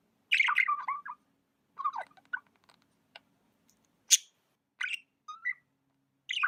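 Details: Pet budgerigar giving scratchy warbled chatter, then scattered single chirps, one loud high click, and a short rising whistle, each separated by quiet gaps.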